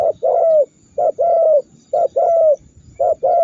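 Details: Spotted dove in a training recording meant to make rival birds call and rage; deep hollow coos in paired phrases, a short note then a longer falling coo, repeated about once a second.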